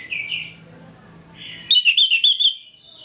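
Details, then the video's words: Orange-headed thrush singing in the morning, a lure to rouse aggression: a couple of soft warbled notes, then a sudden loud run of about seven quick, ringing whistled notes. "ANIS MERAH NGEPLONG PAGI, PANCINGAN ANIS MERAH AGAR CEPAT EMOSI"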